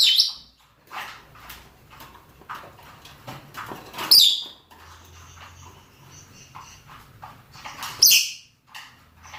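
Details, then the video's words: Mating calls from male and female rosy-faced and Fischer's lovebirds: three strident shrieks, roughly four seconds apart, over continuous soft chirping and a low hum. "نداءات ذكور وإناث طيور الروز والفيشر من أجل التزاوج"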